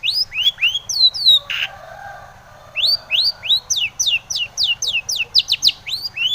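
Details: Sharp rising whistles from a Long-tailed shrike, kept as a lure to make other shrikes answer, break off for a second and a half, then return as a brisk, steady string of upslurred notes.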